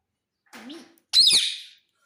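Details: Indian ringneck parakeet, described as saying mummy and papa; a quiet low wavering note, then a loud harsh descending screech lasting about half a second.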